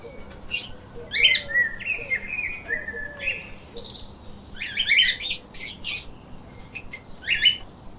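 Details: Chirping pet lovebirds produce rapid, scratchy chatter in dense bursts, mixing buzzy trills with drawn-out nasal notes, loudest around the middle.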